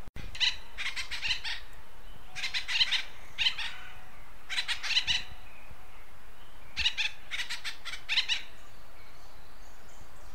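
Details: Acorn woodpecker from western North America giving loud raucous calls, rapid grating notes grouped into rhythmic bursts of three to four, repeated about every two seconds, with faint background hiss.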